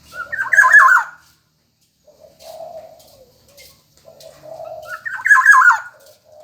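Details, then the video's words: Black-naped oriole, vigorous singer, gives two strong fluty phrases of quickly tumbling whistled notes, one at the start and one near the end, with low muffled cooing notes between. "burung kepodang emas gacor | suara burung kepodang gacor"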